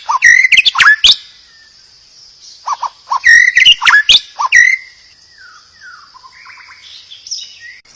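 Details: White-rumped shama song played as therapy to provoke other shamas into singing: bursts of rich whistled phrases with sharp upsweeps and chattering notes, a sustained high thin tone behind them, then softer descending warbles.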